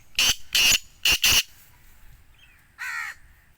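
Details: Black francolin (Sindhi teetar, kala teetar) calling in a rough, grating series of four loud bursts, the first pair spaced wider and the second pair tight together. About a second later comes a single lower, more tonal squawk.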